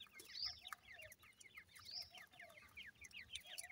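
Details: Feeding francolin chicks heard faintly: a busy run of thin, high downward-slurred chirps, with occasional shrill whistled notes above, against a soft background hiss.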